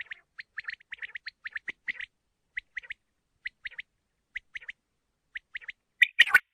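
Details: Calling common quail (batair): short, sharp chirps, sometimes doubled, repeated at uneven intervals over several seconds, ending in a brief loud rustling burst.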